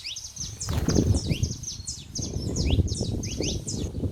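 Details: Free-living saffron finches in the wild chirping busily: rapid overlapping high swept notes in a continuous chatter, heard above strong low rumbling noise throughout.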